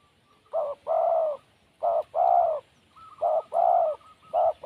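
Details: Wild spotted dove cooing steadily in low hollow phrases, each a short note followed by a longer rolling one, repeated three times and starting again, with faint high chirping of another bird behind.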